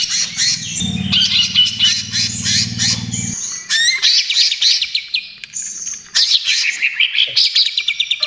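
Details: Lively trotol song from a greater green leafbird, used to lure and calm other birds: rapid staccato chips and trills at first, then rising slurred whistles and a fast run of repeated sharp notes.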